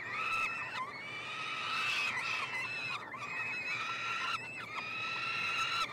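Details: Feeding time for peregrine falcon chicks, three siblings in a nestbox at the University of Montreal, Canada, June 2022. Overlapping shrill, buzzy screams from more than one chick continue almost without pause, with a few quick breaks.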